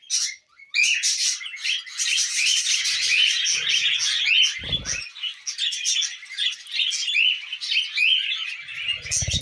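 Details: Tamed budgerigars with millet: after a brief hush, loud continuous high chirping and twittering from many birds, punctuated by a short low thump and a rumble at the end.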